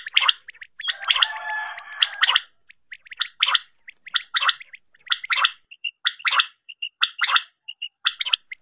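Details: Quail call for hunting: a drawn-out harsh, layered rasping burst, followed by rhythmic gargling chatters about once a second interspersed with brief clear whistled pips.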